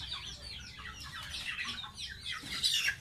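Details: Short run of shrill, descending peeps from a baby pet goose during a bath, growing louder toward the end.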